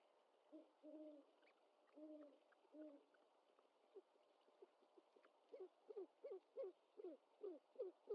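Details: Owlet of the great horned owl at its nest, mother delivering a bird it struggles to swallow whole, 25 March 2021, nest cam; a few paired low notes, then quick rising chirp-like calls repeated roughly three per second.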